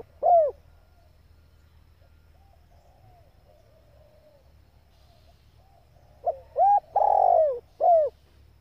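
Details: Female spotted dove calling to fire up male birds; a lone short coo, a long quiet pause, then one full phrase of quick rising notes, a long loud falling coo and a short arched closing coo.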